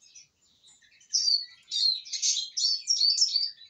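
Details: After feeding, a satisfied Eurasian siskin starts with soft scattered chirps, then breaks into loud rapid twittering with slurred high notes and short trills, running nearly continuously to the end.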